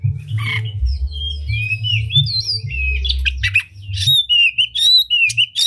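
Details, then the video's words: Oriental magpie-robin singing a unique song with open tail to trigger other magpie-robins; long sweeping whistles and slurred notes, then harsher bursts and rapid short chirps, over noticeable low rumble. "Pancingan Kacer Gacor Buka Ekor Lagu Unik! Bagus Buat Menaikan Emosi Kacer Lain Agar Gacor"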